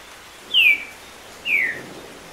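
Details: Green-winged saltator, called trinca-ferro, singing over rain sounds played to stimulate it, a tournament bird delivering over ten songs per minute; two loud clear whistles, each sliding downward, about a second apart, with soft hiss behind.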